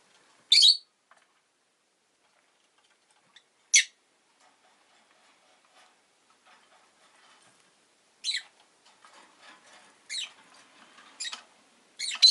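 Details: Pet rosy-faced lovebird making isolated sharp, high chirps, a few seconds apart, with faint clicking and rustling that grows busier toward the end.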